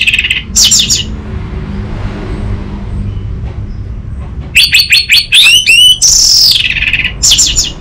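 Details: Orange-headed thrush song for training untrained birds: a short whistled burst at the start, a long quiet gap with low hum, then a lively run of bright rising and falling whistles and a drawn-out sweet note.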